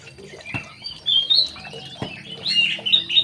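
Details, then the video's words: Aviary-kept young male White-rumped shama delivers scattered high whistles and short chattering phrases, growing busier toward the end, with two sharp clicks in the background. "CIRI CIRI MURAI BATU TROTOLAN JANTAN"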